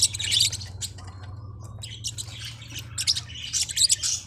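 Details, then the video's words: A Forpus parrotlet chirping in short shrill bursts at the start and end, quieter scattered notes in between, against a steady low hum. "เสียงนกแก้วฟอพัส เพราะมาก"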